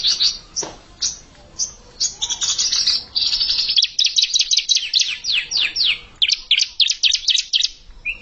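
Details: Untrained bar-winged prinia challenging a settled bird: scattered high chirps build into a long, rapid series of sharp descending notes, fast and insistent, ending with a short lower note.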